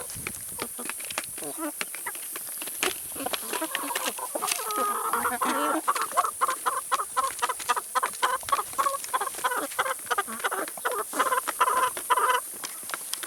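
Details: Flock of chickens eating vegetables and salad, dense overlapping clucks and constant pecking clicks, building into fast rhythmic clucking in the second half.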